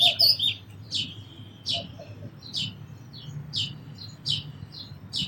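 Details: Sparrow repeating short, clipped chirps about every half second, opening with a louder squeaky call.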